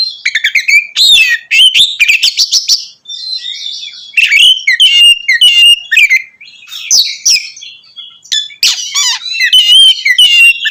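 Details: Oriental magpie-robin in full ngeplong singing, aimed at stirring up other magpie-robins; a dense stream of sweet whistles, quick trills and scratchy chirps, about a hundred phrases a minute, barely pausing.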